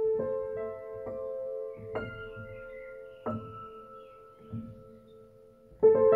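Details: Resonant bell-like tones struck about once a second and left to ring and fade, like a singing bowl, with no birdsong.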